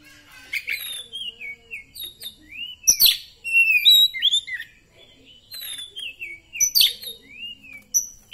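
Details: Caged Oriental magpie-robin, a poci type bird, singing after therapy: varied clear whistles, rising and falling slurred notes mixed with sharp harsh chips and rapid twittering phrases, with faint low background hum.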